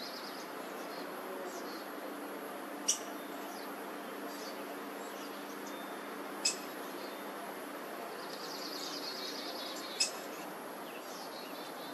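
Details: Black-headed grosbeaks at a nest of three nestlings in a front-yard laurel, South Eugene, 26 June 2023, parents feeding young. Three sharp, clicky notes spaced about three and a half seconds apart, faint thin high calls between, steady hum of distant pressure washing.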